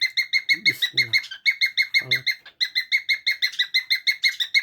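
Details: Young cockatiel beginning to cackle, also whistling, recorded 7 June 2024: a fast, steady string of short bright chirps, about three per second, with brief low nasal sounds underneath at times.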